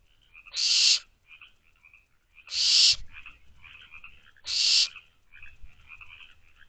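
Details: Barn owl owlets calling from their nest box just after midnight, 24 May 2023: three strong, noisy screeching hisses spaced about two seconds apart, each roughly half a second, with a thin, continuous high trill behind.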